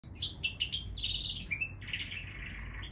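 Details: Canary x bullfinch hybrid singing a continuous warbled phrase of bright trills and slurred notes at mid-high pitch, with a brief dip partway through, over a steady low background hum.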